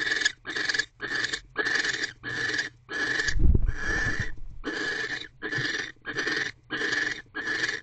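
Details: Wild barn owl pair in a nest box on 25 December 2023 at 6:52 pm, mating while the female holds a rodent in her beak after the male delivers dinner; harsh, hissing screeches repeat roughly every 0.7 seconds, with one dull thump midway.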